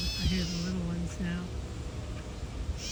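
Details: Catbird guarding its nest beside a boardwalk gives a harsh cat-like mew at the start and another at the end, separated by a steady low hum.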